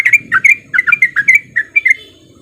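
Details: Lure recording of a sooty-headed bulbul in the fast 'ropel' style meant to make silent bulbuls answer: a dozen quick, throaty, bubbling notes in uneven pairs over two and a half seconds, with a faint low hum behind.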